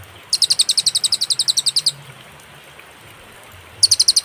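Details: Master recording of a cililin for training songbirds, clear with pauses: a quick run of high, crisp chips for about a second and a half, a silent gap of nearly two seconds, then the chipping starts again.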